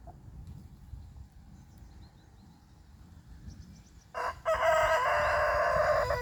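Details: Rooster in the morning, one of a series of crows marking his territory. Four quiet seconds of faint chirping birds and soft background hum, then a sudden loud crow: a short note and a long, sustained harmonic cry.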